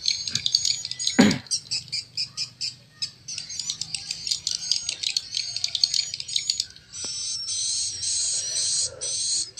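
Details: Swiftlet roosting lure sound, played by swiftlet farmers to attract birds into a nesting house: dense, rapid high twittering chirps in continuous bursts, pausing briefly near seven seconds before the chattering resumes.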